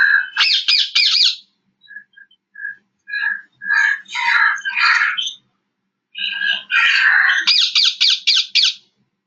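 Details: Rose-ringed parakeet (Psittacula krameri) in the Indian jungle, giving loud, harsh screeches and rapid shrill kee-kee-kee bursts in quick series, with short chattering notes between.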